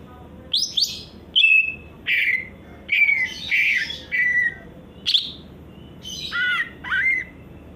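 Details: Greater green leafbird song in varied bursts of squawky chirps and slurred whistles, about eight phrases separated by short pauses, some notes sliding down, others buzzy and rasping.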